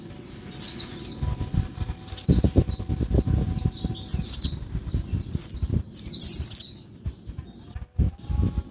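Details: Female Oriental white-eye calling noisily by day to prompt males to sing: clusters of sharp, high, descending squeaks in rapid doublets and triplets, with intermittent low knocking and rustling beneath.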